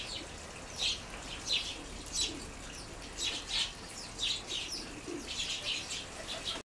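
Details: A group of sparrows on the ground in a garden gives short, scratchy chirps in bursts about every half second to a second, with steady background hiss and possibly some wing flutters.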